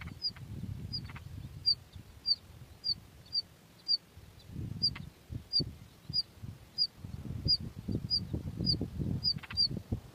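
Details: Two hungry bush lark chicks in the nest begging: thin high chirps repeated about every half second, with low rumbling handling noise and occasional faint clicks.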